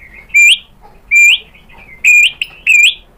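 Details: White-rumped shama song as a lure for a rival to answer: a few loud clear whistles, each rising at the end, repeated roughly every second in a quiet setting.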